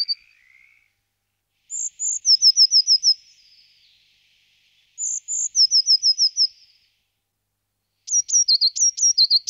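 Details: Eurasian blue tit song in three bursts, each opening with one or two thin high notes and running into a rapid, slightly descending trill of sharp repeated notes. The background is otherwise quiet.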